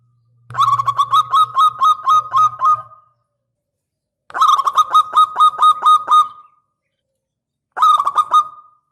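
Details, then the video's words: Local zebra dove with a big, lively voice, used as a lure to draw replies from other doves; three bursts of quick, stuttering pulsed coos around mid pitch, each lasting a couple of seconds, with a low hum under the first. "Perkutut lokal GACOR suara besar"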